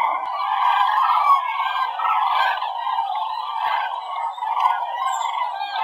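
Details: A flock of common cranes on autumn migration over the Werra valley at Herleshausen, Hesse, on the afternoon of 18 October 2020, flying southwest toward France and Spain; many overlapping trumpeting, rolling calls form a continuous chorus.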